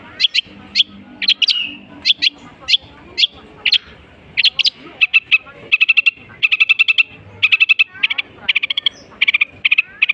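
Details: Long-tailed shrike singing energetically, mimicking the calls of other bird species with a rich repertoire. Sharp high chips and short trills come in rapid bursts, with fast runs of repeated clicking notes and a few buzzy slurred phrases, nearly continuous throughout.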